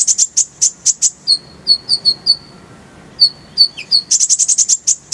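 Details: Konin, or Oriental white-eye, tutor recording also featuring the kolibri ninja. Very high, bright chirps come in quick runs, then a string of clear short twittering notes, then another dense burst of sharp piercing chirps.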